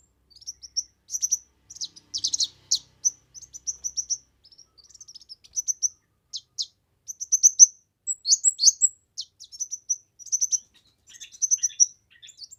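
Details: Chatty kemade song used for tutoring, luring and stimulating other birds: thin, high whistled notes and buzzy trills strung out with brief gaps, louder twittering flourishes near the middle.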